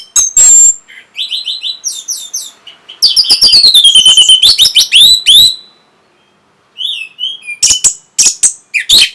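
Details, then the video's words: Orange-headed thrush singing to arouse breeding and provoke an answer. Sharp chirps lead into a long, fast run of ringing, slurred whistles, then a pause and scattered buzzy and squeaky notes. "NYANYIAN BURUNG PUNGLOR PEMBANGKIT BIRAHI AGAR KENCENG YANG PASTI 100% BAKAL NYAUT"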